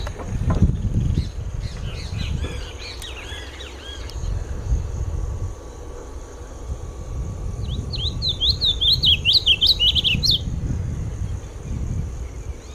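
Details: Sayaca tanager song: a tumbling jumble of high twitters early on, then a fast, squeaky run of sharp up-and-down notes lasting about three seconds, with steady low rumbling noise throughout.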